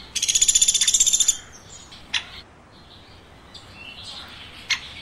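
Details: Woodpecker chirping: a quick run of about fifteen rapid, high, buzzy pulses lasting just over a second, followed by a few sharp, isolated ticks against quiet background.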